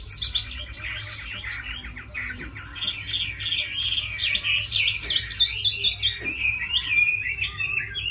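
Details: Tame Chinese hwamei kept as a fighting and singing bird delivers a busy, rapid song of chattering notes and bright looping whistles, about four phrases a second, with low hum behind.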